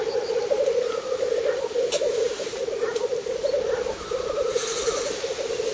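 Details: A spring black grouse lek in northern Finland on 30 April 2011, heard from 50–70 m away: continuous low rolling, bubbling murmurs with a pulsed texture, and faint higher chirps scattered over them.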